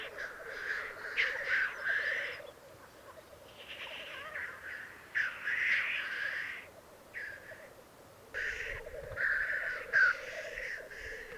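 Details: Lekking black grouse males in the Alps of Piedmont, Italy, 2022. Rolling low bubbling continues beneath repeated clusters of harsh hissing bursts separated by quieter gaps.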